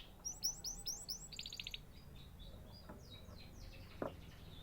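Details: Canary giving a quiet burst of song: a quick series of sweeping chirps, then a short fast trill, followed by softer fading notes and faint background noise.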